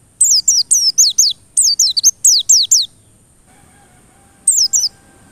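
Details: High, thin white-eye phrases: about three seconds of quick downslurred notes in close groups, a quiet pause, then a short final burst. Played as a lure to push white-eyes to sing insistently.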